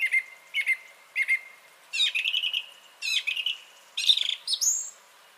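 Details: Song thrush singing on 30 January 2021, a short clear whistled note repeated three times, then rich rattling phrases each given three times, closing with a high rising whistle.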